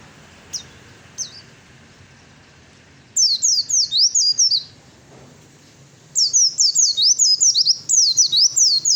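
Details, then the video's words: Male Oriental white-eye, a fighter bird, giving two short single high chips, then two long rapid volleys of sharp downslurred whistles separated by a pause, a fighting song to provoke other birds to answer. "suara pleci fighter yang lain pasti nyaut !!!"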